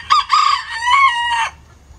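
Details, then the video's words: Crowing pet rooster, a Lavender Self Blue Game Bantam that perches on its keeper's shoulder in the coop: a full loud crow, clipped opening then a long harsh rising-and-falling call ending abruptly, followed by quiet. "Pet Rooster Crowing"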